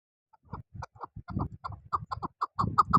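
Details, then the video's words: Chukar partridge giving a run of short, rough chuck notes that quicken toward the end, with low rumbling noise underneath. "Partridge keklik Chakoor"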